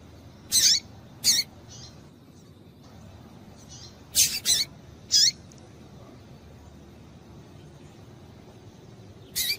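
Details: Female double-collared seedeater calling to stir males into song, bursts of high, thin chips in pairs and triplets separated by long quiet stretches, with steady faint hiss underneath.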